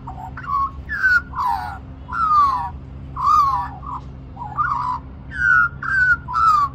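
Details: Young magpie at lunchtime in Cirillo Reserve, Middleton Grange, New South Wales, Australia, singing continuously while begging for more mango; rich warbled, gliding whistles in short phrases about every half second to second, over a low steady hum.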